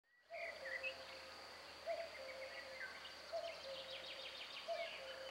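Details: Common cuckoo at Mórahalom, Hungary, on 4 May 2020: low, hollow cuckoo notes repeat about every one and a half seconds under a chorus of higher chirping songbirds and a steady high-pitched hiss.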